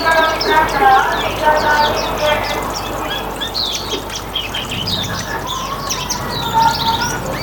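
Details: Riwikan-style singing of Hume's white-eye, kept as a lure for other birds: a dense, continuous stream of quick high twitters and slurred squeaks, with a few clear mid-pitched whistles and a low constant hum.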